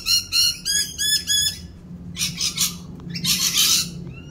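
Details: During mating season, rainbow lorikeets performing a mating dance utter a run of five loud, evenly spaced harsh calls, then break into dense, raspy high screeches that overlap one another.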